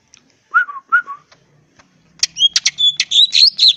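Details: Brief provoking song of a wild greater green leafbird, meant to make rivals answer: two slurred falling whistles, a pause, then quick varied whistled and buzzy notes.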